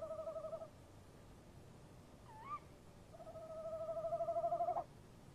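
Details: Night calling of a tawny owl pair at their nest box, 03:07 on 23 March 2015, with the male opening and the female answering. A quavering hoot ends, a single sharp upward-hooked call follows, then a longer, wavering trill swells in volume.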